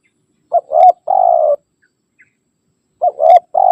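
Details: Spotted dove rival call used for luring wild doves: a short coo, a swelling note and a steady rolling coo, followed after a pause by the same phrase starting again.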